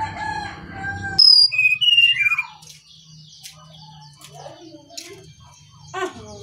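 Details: A Bali Brown-chested jungle flycatcher opens with a loud high whistle, then short descending whistled phrases, followed by quieter scattered clicks and faint notes over a low hum.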